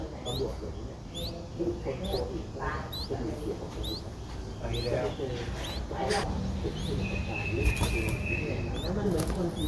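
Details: Three-day-old Streak-eared Bulbul chicks begging in the nest at Ubon Ratchathani, Thailand, on 5 April 2023: thin, high upslurred peeps repeated about twice a second over a steady low rumble and scattered clicks.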